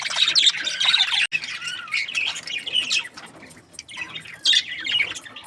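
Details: Budgerigar chatter: a loud burst of squeaky warbling and chirps, a brief break, quieter scratchy notes, then another sharp chirping burst near the end.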